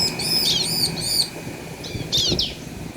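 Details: Bar-winged prinia, male and female answering each other, used to provoke other birds into singing: a run of high, bright chirping notes with harmonics, a short pause, then a second quick burst of similar chirps.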